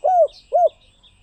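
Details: Two soft arched coos from a spotted dove, each under half a second, evenly spaced, with faint high chirps in the background.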